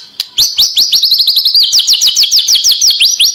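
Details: White-rumped shama song recorded for training captive birds: a fast run of bright rising whistled notes, about three per second, high-pitched and steady through the phrase.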